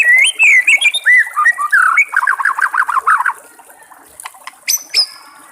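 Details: White-rumped shama in the wild by trickling water: looping whistled phrases run into a fast rattling trill of repeated notes, then a pause broken by sharp clicks and a high thin whistle.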